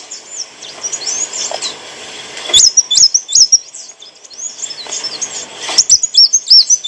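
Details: Olive-backed sunbird song recorded cleanly for tutoring caged birds: scattered high, thin chirps, then quick hooked whistles in two short bursts with soft clicks between.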